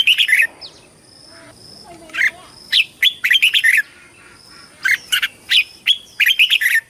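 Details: Red-whiskered bulbul singing in competition style, calling the flock and training its voice: loud bright chirpy phrases in short bursts, separated by brief pauses, with a thin steady high whistle running underneath.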